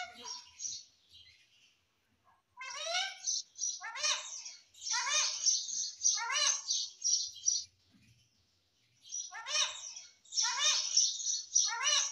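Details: A baby parrot kept as a pet calls out "Mummy" again and again in a small room. Rapid runs of downward-sweeping, voice-like syllables come in bursts, broken by brief pauses.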